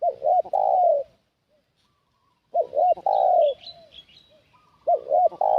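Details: Spotted dove used as a lure for wild doves, cooing in repeated phrases: paired short curled notes, then a sustained falling coo, with a pause between. Light high twittering from other birds is heard in the gaps.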